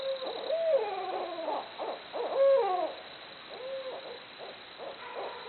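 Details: Several barred owls calling back and forth, strong clear hoots with bending, descending slurs and a long drawn-out final note, pausing briefly before more softer hoots.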